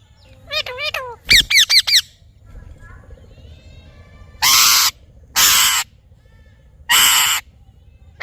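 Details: Parrot giving quick ringing squawks in two short series, followed by three much harsher, broad screeches spaced over a second apart.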